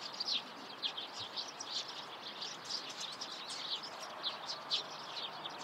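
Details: Eurasian tree sparrow chirping in the morning, a steady stream of short overlapping chirps repeated several times a second above low background noise.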